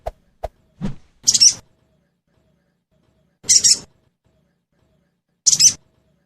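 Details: Sogon lure recording played to prompt caged birds to respond and sing: after a few faint clicks, short high buzzy chirp bursts come about every two seconds in a silent background.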